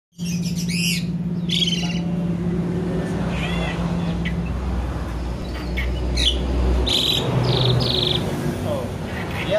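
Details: A male sooty-headed bulbul, a recently bought caged bird that copies birds around it, gives bright whistled phrases and quick rising and falling notes, some likened to an Asian pied starling, over a steady low hum.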